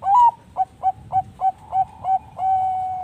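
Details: A captive-bred Zebra Dove (perkutut bangkok) at a bird farm in Bekasi, West Java, coos in a lure recording: a rising opening coo, then six short clipped notes about three per second, closing on one long, level held coo.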